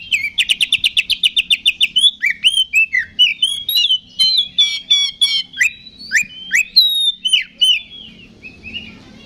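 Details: Provocation song of the Oriental magpie-robin (kacer 'ngeplong') to rouse rival males: it opens with a long fast rattle of evenly spaced buzzy notes, then shifts to varied swooping whistles and chirps, fading toward the end.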